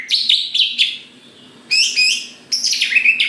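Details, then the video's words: Greater green leafbird in energetic song meant to draw other leafbirds into singing: three loud bursts of tumbling, buzzy, richly harmonic whistles separated by short pauses. "Cucak Ijo Gacor Paling Pintar Memancing Cucak Hijau Lain Agar Cepat Bunyi Gacor"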